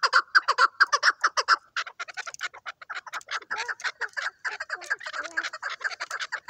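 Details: Rapid loud chuk notes from a hunting chukar partridge, briefly broken off, then resumed as a busier, more varied chatter mixed with a few short whistled, bending notes.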